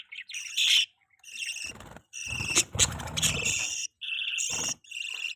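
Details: Pet budgies feeding their baby. Bright, ringing chirps and warbled notes come in short bursts, broken by a few noisy, rustling interruptions.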